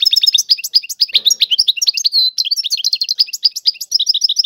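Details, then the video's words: Tiwawati-style song of a European goldfinch, an unbroken stream of rapid, high, tinkling twitters and short buzzy trills with no gaps. "اعظم تغريد الحسون طيواواطي"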